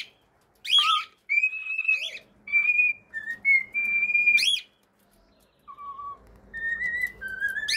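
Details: Singing cockatiel, kept as a pet, whistling a melody of held notes at shifting pitches, some high and some lower, joined by quick upward squeaks, with short silent gaps between phrases.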